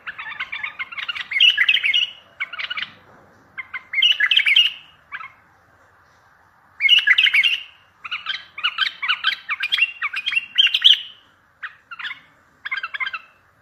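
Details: Strong bulbul song meant to draw replies from other and distant bulbuls for trapping: long run of loud, tumbling warbled phrases and chattering notes, with short pauses between bursts.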